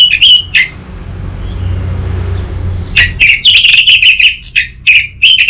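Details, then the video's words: Orange-headed thrush, a recording meant to prompt an untrained young bird to sing. Two sharp chirps, a quiet stretch with low rumble, then a long, energetic stream of varied high whistles, quick trills and squeaky notes. "Pancingan dan Masteran Burung ANIS MERAH Bahan, SuPaya Nyaut Ngeplong dan Singset"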